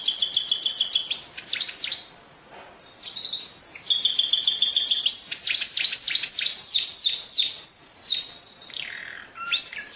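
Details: Canary song: long run of rapid repeated trills and rolling tours, some high whistled slides and buzzy rattles, with a brief pause near the start, otherwise continuous.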